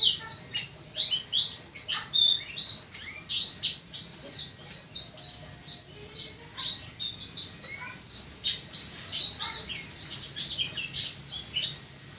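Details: Oriental white-eye singing loudly in the open-beak stage, forest-style native song: a dense, varied stream of high twittering notes and quick chirps without pause, energetic throughout.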